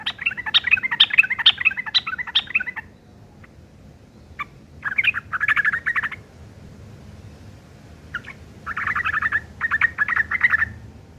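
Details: Rough ngeriwik chatter from a sooty-headed bulbul, kept as tutor song for long-tailed shrikes: three dense bursts of fast, scratchy, jumbled chirps separated by short pauses, over a steady low rumble.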